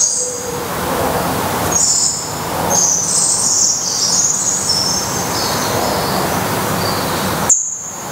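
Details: Thin, high-pitched calls from a black redstart fledgling, the last chick to leave the nest, in May 2020. Some calls are short and sharp, others drawn out, repeated over a steady rumble of passing traffic.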